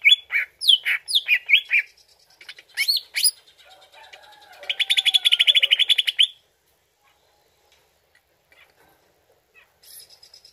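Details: Greater green leafbird lure song to make the bird respond: quick slurred whistles and chips, then a fast, even buzzy trill lasting about two seconds, followed by near silence with faint distant notes.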